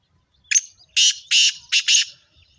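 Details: Kala teetar, a female black francolin, calls with a faint opening note followed by four loud, harsh, scratchy bursts, the last two closely paired, in a quiet setting.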